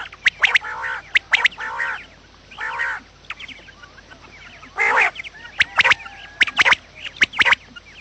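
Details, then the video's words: Quail calling recorded in the morning to lure quails for trapping: nasal, harmonic bursts about half a second long, mixed with sharp clicks, then a quieter gap of thin chirps before more bursts. "batair Subha ki awaz | quail sound effect"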